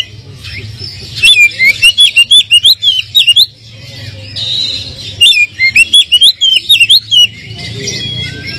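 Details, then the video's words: Oriental magpie-robin (kacer) lure song meant to make a low-spirited kacer answer at once: two loud runs of rapid, evenly spaced whistled notes swooping up and down, separated by a quieter pause. "pancingan kacer kurang emosi,dijamin langsung nyaut"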